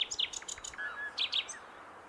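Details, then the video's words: Close, loud common nightingale song phrase: rapid high chirps and sharp metallic notes, a brief lower whistled slur in the middle, then two emphatic high notes before trailing into quiet. "Gesang der Nachtigall"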